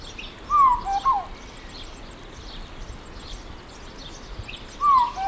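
São Tomé Oriole giving short fluty, slurred whistled phrases around mid pitch, a double phrase then a repeat about four seconds later, over steady background hiss.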